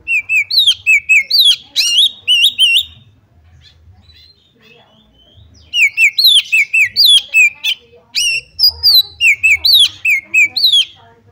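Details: Female Oriental magpie-robin call meant to make other magpie-robins sing and shriek: two long bouts of rapid bright whistled notes, slurred up and down, separated by a few seconds of near silence with faint chirps.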